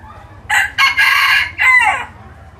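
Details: Hybrid-line red junglefowl decoy rooster crowing: a loud, harsh, multi-part crow with short opening notes, a sustained middle phrase and a falling final note, over quiet background.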